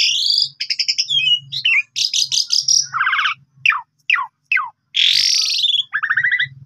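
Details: Asian pied starling in Indonesia, used as a lure and tutor for other birds: loud harsh chatter and rattling trills, a series of short sharp downslurred notes, then a broad raspy burst and buzzy phrases.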